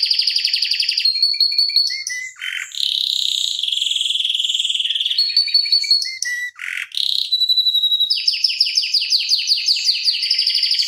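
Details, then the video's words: Canary song used as a tutor recording for other canaries, a long rolling performance: fast buzzy trills, a sustained whistled roll, short dips, then rapid repeated notes at a dense, quick pace. "Kenari Masteran Suara Gacor Ngeroll Panjang Untuk Pancingan Maupun Masteran"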